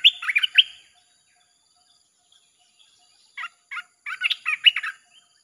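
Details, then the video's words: Red-whiskered bulbul in nonstop 'chopping' song used as a lure for wild birds: an opening burst of rapid warbled notes, a pause, then a few spaced single notes building into another quick, cheerful phrase. "เสียงนกกรงตาแดงEp.158 สับไม่หยุด!! เปิดล่อนกป่าเข้า"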